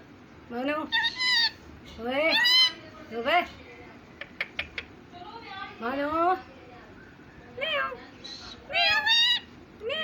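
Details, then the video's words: Pet parrot talking like a human and copying a cat's meow indoors: a series of clipped, speech-like syllables with upward-bending pitch, broken by a few sharp clicks near the middle. "my parrot talking like a human"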